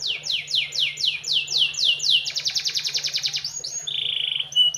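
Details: Canary song in a melodious style: a series of fast high descending sweeps, then a rapid pulsed trill, ending with steady whistled tones, over a faint low hum.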